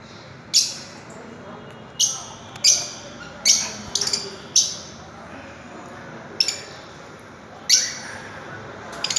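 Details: Fischer's lovebirds give sharp, shrill, high-pitched chirps, about eight short bursts at irregular intervals of one to two seconds, against a quiet indoor background.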